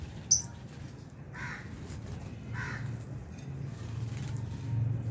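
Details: Albino and Fisher's lovebirds eating food in an aviary alongside budgies; two harsh, raspy calls sound a second apart, preceded by a sharp click, over low steady background rumble.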